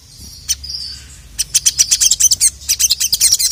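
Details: Crimson sunbird (sogon) singing to call a male, opening with a single sharp note and a short thin whistle, then breaking into a quick chattering series of high, clipped chirps.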